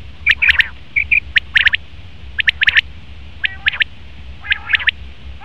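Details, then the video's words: Male common quail uttering short, sharp, high three-note phrases roughly once a second, with a few lower, buzzy, nasal notes mixed in. "Best Common Quail Male sound/Nar batir ki awaz"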